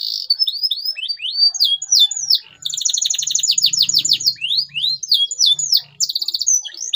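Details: Full canary song played to stimulate silent canaries; rising whistled chirps in quick series lead into a long dense buzzy trill, then more rapid sweeping notes and short repeated phrases.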